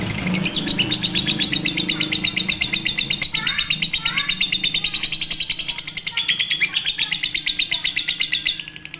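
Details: Lovebird konslet or fighter master song for birds slow to sing: a long, unbroken, fast rattle of high chirps, with a few lower swooping notes in the middle, ending abruptly.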